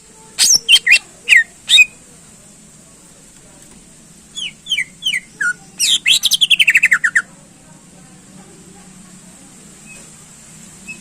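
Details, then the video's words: Greater green leafbird in lively full song, used to rouse contest birds: a few sharp high whistled notes, then short descending slurred whistles and a fast rapid trill-like burst of repeated notes, with a steady low hum behind. "Cucak Ijo Gacor Ampuh Menaikkan Emosi Burung Lomba"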